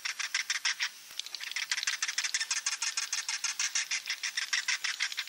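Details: Edible-nest swiftlet klepek-klepek roosting call used to lure swiftlets: a steady, fast pulsing chatter of dry, clicking chirps, about three to four per second, with a short pause near the one-second mark.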